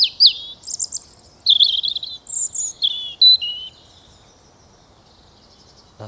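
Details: European robin singing in a tree overhead in Hainault Forest woodland east of London, on a fine, chilly mid-April morning: a quick run of thin, high, varied whistles and short trills, shifting in pitch, over faint hush.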